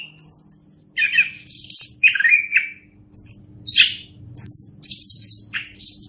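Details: Orange-headed thrush song intended as a master recording for other birds: high whistles, descending slurred notes and scratchy bursts spaced by short pauses, over a soft low hum.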